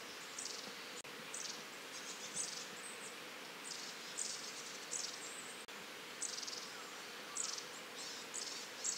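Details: Long-tailed tit, a familiar Japanese bird, giving soft "juri-juri" calls: thin, very high, buzzy little notes in short bursts, about one a second, over a faint steady hiss.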